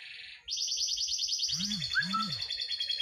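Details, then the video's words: Canary tutor song for birds that rarely sing: a sudden very fast, even high trill runs on throughout, with a short whistled slur and two low humming swells beneath. "Suara Masteran Kenari Gacor Cocok Buat Burung Kenari Yang Susah Bunyi"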